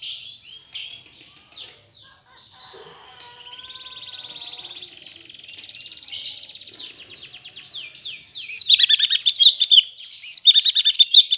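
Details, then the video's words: Black-headed bulbul, still learning its song after its moult, moves through varied high chirps and short trills, ending in a loud, fast, dense twittering burst. "Burung Cucak cungkok gacor paska mabung"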